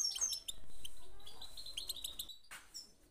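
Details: Goldfinch twittering, used to start other birds singing: high chirps and buzzy notes over a low background rumble, with a short gap near the end.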